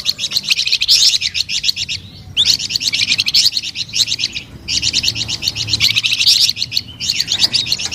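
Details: Flamboyan bird in sweet, lively song: three long bouts of rapid, evenly spaced high chirping notes, each lasting about two seconds and separated by short silences.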